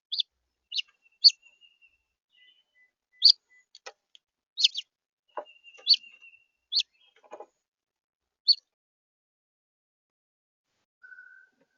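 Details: Red house finch, central Florida, uttering crisp high chirps at irregular intervals, some paired, with faint thin whistles and a low rustle in the background.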